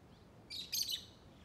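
A lovebird gives a brief burst of harsh, high chirps, two scratchy notes in about half a second, over quiet background.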